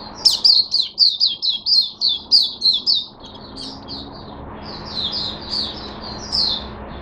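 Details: Caged Oriental white-eye opening its song, recorded 5 May 2022: a rapid run of high, sharp chirps, about four a second for three seconds, then softer, looser twittering over a faint indoor hum.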